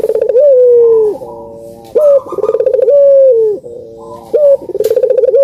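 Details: Lure recording of a puter dove for birds reluctant to sing. Loud repeated coo phrases, each a sharp clipped note, a fast throbbing roll, and a long smooth falling-level coo. About two and a half phrases are heard.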